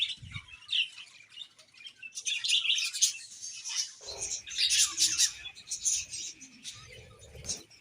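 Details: Several budgerigars chirping: dense, scratchy high warbling chatter in uneven bursts, with brief low knocks near the start and in the second half.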